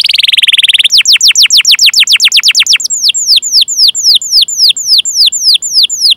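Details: Rolling canary chirp song for coaxing other canaries to sing: a high buzzy trill opens, then quick descending whistled notes repeat, slowing into evenly spaced falling chirps about three per second.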